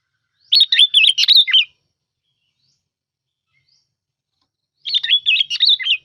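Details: A lure bulbul gives two quick, bubbling phrases of cheerful, chattering notes, each about a second long and about four seconds apart, with silence between them.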